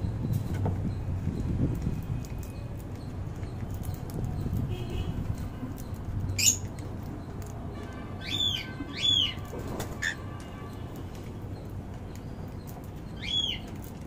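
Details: Cockatiels, a pearl and a yellow-faced lutino, during feeding: a few short, clear chirping calls over a steady low rumble.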